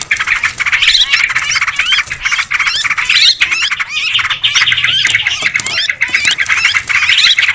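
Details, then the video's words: Sooty-headed bulbul lure recording for attracting birds: loud flock-like chatter of harsh calls and bright rising whistles, with a few short dips in the din. "Suara pikat trucukan ribut"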